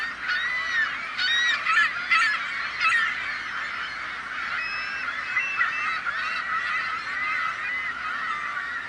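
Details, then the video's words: Seagulls in a loud flock, rapid harsh squawks and yelping calls overlapping in a constant noisy chorus, with sharper outbursts early on. "The Sound of Seagulls | Why Are Seagulls So Noisy?"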